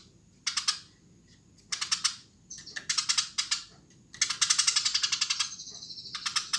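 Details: Tree sparrow in energetic song, delivering clustered runs of dry, rapid chirps separated by brief silences, with a drawn-out high buzzy tone near the end.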